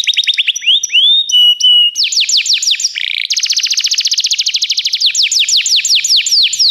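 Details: Canary singing on a recording for training canaries: flat whistled notes and short chirps lead into a long, rapid, rolling trill of bright notes, which slows into sweeping downslurs.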